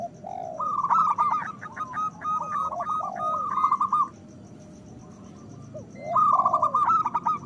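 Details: Loud local zebra dove song played to stimulate breeding desire and singing in other doves: quick strings of staccato cooing notes, several birds overlapping, long phrases with softer downward-curving coos in the gaps and a quiet stretch midway.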